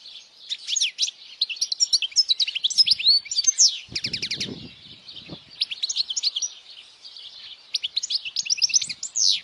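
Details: European goldfinch singing powerfully so young goldfinches can learn the song; continuous rapid twittering with bright rising and falling notes, several fast trilled runs, and a brief low rustle in the middle.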